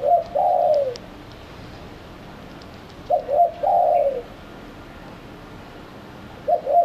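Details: Spotted dove lure call for attracting doves: a mellow two-part cooing phrase, a quick double coo then a longer falling coo, repeated about every three seconds over steady hiss.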